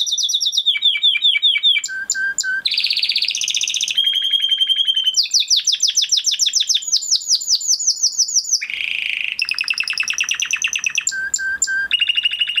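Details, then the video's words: Spanish Timbrado canary, a crested male from 2020 breeding kept with a flock, sings a long training song of fast metallic trills, buzzy rattles, bell-like repeated notes and high rolling tours, changing pattern every second or two. "Do you have a Canary with a weak singing voice? Canary Singing Video"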